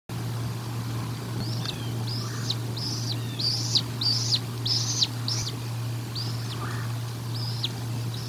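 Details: Bald eagle at the Decorah North nest during a feeding, 1 April 2022: a run of about ten short, piercing high notes, each sliding downward, given in a quick irregular series over steady low hum.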